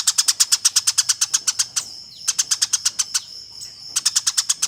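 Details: Fighting Eurasian tree sparrow, master audio for training competition birds: long runs of fast, evenly spaced scratchy chirps, roughly three per second stretches broken by two short pauses.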